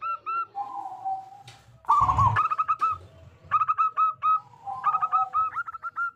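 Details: Local zebra dove with a big voice, played to prompt other doves to sing: soft drawn-out coos and a rolling burr, then quick repeated staccato notes in several short runs, with a low thump in between.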